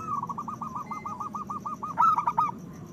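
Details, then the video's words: Local zebra dove with a big voice, cooing as a lure to raise breeding desire in other doves: a soft rolling, purring trill of rapid pulses, then louder emphatic coo notes near the end, over a low background rumble. "Perkutut lokal gacor Suara Besar Pancingan Bunyi Menaikkan Birahi Paling Ampuh"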